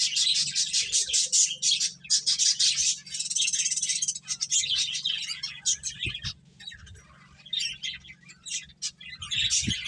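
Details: Several finches busy eating and playing, chattering in dense high twitters and quick chirp series, near continuous at first and then sparser scattered tweets, over a steady low hum.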